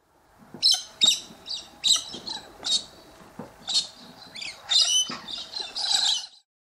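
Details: Australian king parrot (Alisterus scapularis) giving harsh, high, scratchy squawks, about eight short bursts at an uneven pace over six seconds.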